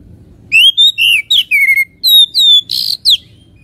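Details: Loud, fluty song of an Oriental magpie-robin meant to rouse fighting spirit, a quick series of clear whistles sweeping up and down, ending with a harsh rasping burst and a final slurred note.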